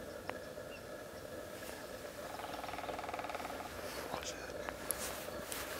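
A female lesser spotted woodpecker drums one fast, even roll lasting over a second, against a steady outdoor hiss with a few faint bird notes.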